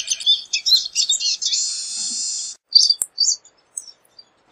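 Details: Pine siskin opening with quick high twitters that run into a long, rasping buzz. A sharp click follows, then a few scattered chirps before silence.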